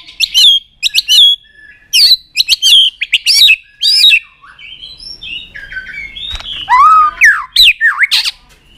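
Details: Fired-up White-rumped shama giving clipped, repeated whistled bursts with crisp clicks, about a second apart, then lower swooping slurred whistles toward the end.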